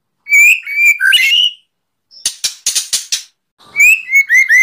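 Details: Kretekan song of a white-rumped shama, full rapid shots to provoke rival birds, recorded 24 January 2023: whistled phrases, a middle stretch of harsh crackling rattles, then descending clear whistled notes.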